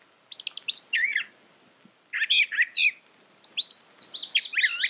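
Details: Three bursts of brown thrasher song, each a jumble of sharp, rising and falling chirps, separated by brief silences over a faint background hiss.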